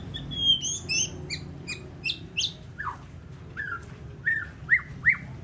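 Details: ['White-rumped shama, a contest champion at the SMBF Ladong singing competition, delivering a varied run of short chirps and clipped notes, then downslurred whistles spaced about half a second apart, against a low murmur.']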